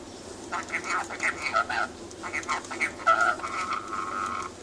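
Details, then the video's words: Rainbow lorikeet kept as a pet, chattering and laughing indoors: rasping bursts mixed with a sustained whistled tone toward the end. "the rainbow lorikeet chatting"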